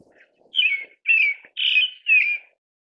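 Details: Pale thrush, a wild bird of the Far East, gives four loud whistled phrases in quick succession, each slurred and falling slightly, against a quiet background.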